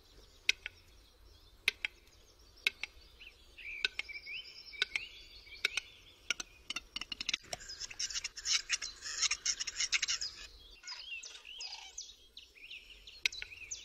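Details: Western capercaillie male displaying in a Polish forest at the start of the mating season: dry clicks about once a second speed up, then a pop and a rapid scraping whetting phrase, over a chorus of songbirds.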